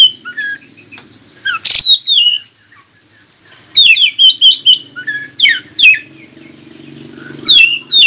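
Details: Oriental magpie-robin song played to make other magpie-robins answer: bright, swooping whistled notes delivered in quick bursts, a rapid series of falling phrases in the middle, over a soft low hum.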